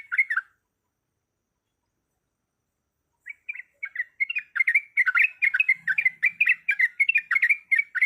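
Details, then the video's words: Female yellow-vented bulbul in breeding condition calling a male: one short bubbly burst, a three-second silence, then a quickening, sustained 'ropelan' stream of chattering, slurred notes. "Suara Ropelan Trucuk Gacor Yang Ngotot Memanggil Lawan"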